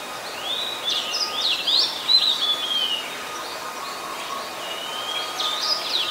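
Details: Singing Oriental magpie-robin recorded 26 December 2020 in Ubon Ratchathani, Thailand, where it is a very common resident; a run of varied, sweet whistled notes and slurs, then a quieter pause before another bright phrase, with faint background hum.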